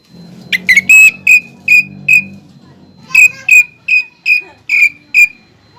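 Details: Greater green leafbird singing actively, its song filled with pelatuk bawang imitations. A low murmur is heard early on, then sharp whistled notes repeat at a steady rhythm, nearly three per second.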